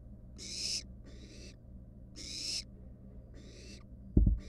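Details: Wild barn owl chicks at the nest, one standing on a mouse. Louder and softer harsh hisses alternate, four in all. A sharp knock closes the sequence.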